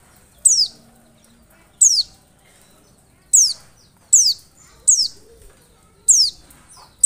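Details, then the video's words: Oriental white-eye calling as a lure for other white-eyes: seven piercing notes sliding downward, spaced unevenly from about half a second to over a second apart, over a nearly silent background. "PANCINGAN PLECI pasti AMPUH 100% nyaut buka paruh"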